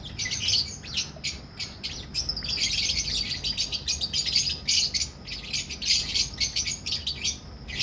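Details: Lovebirds, albino red-eyed and personata red-eyed, kept in a colony breeding setup in Pakistan: a continuous chorus of sharp, piercing chirps and squeaky notes, many birds overlapping in quick bursts throughout.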